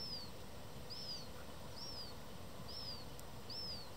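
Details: Black-headed gulls at Dojlidy, Białystok, on 27 July, where a hungry fledgling begs an adult that has no food: five thin, high, arched whistles, about one per second, over a steady low rumble.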